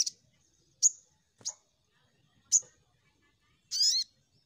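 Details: Sogon lure recording meant to prompt birds to sing: a few isolated, very high, sharp tweets spaced about a second apart, ending in a longer rasping, buzzy note with a lower sliding tone.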